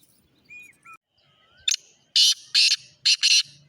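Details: Black francolin calling: a few thin whistled notes, then loud harsh grating bursts. One short burst comes first, followed by three longer rasping notes in quick succession, against a quiet outdoor background.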